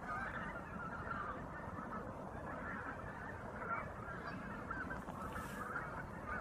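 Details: A large flock of tundra bean geese in the Hannover region, recorded 2021–2023, call nonstop, their nasal honks and cackles overlapping into a steady, dense chorus.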